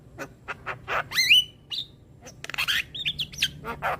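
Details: Javan myna song intended for young birds to learn from: mixed chatter with a loud rising whistle early on, then quick clicks and twisting whistled notes.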